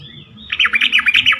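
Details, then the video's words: Yellow-vented bulbul song used as a lure to get other bulbuls to answer and sing more: after a faint thin note, a loud bubbly run of about seven quick rising-and-falling notes. "pancingan trucukan terkomplit sangat bagus untuk membuat trucukan lain lebih gacor."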